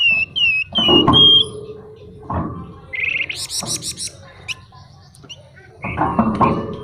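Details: Flamboyan songbird in full song with varied material: clear whistled notes near the start, then a rapid run of buzzy high rattling notes and harsh chattering bursts, with loud low thumps between phrases.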